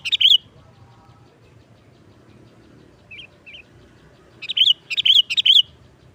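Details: Sooty-headed bulbul giving 'nggaruda' style song as a trapping lure: one short loud phrase, a long quiet stretch with two soft notes, then a final cluster of ringing, bubbly notes.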